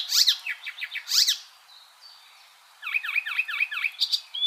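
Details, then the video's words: Icterine warbler giving two loud squealing notes with ticking between them, a faint thin whistle during a quiet gap, then a fast run of repeated nasal chirps. "MASTERAN burung icterine warbler"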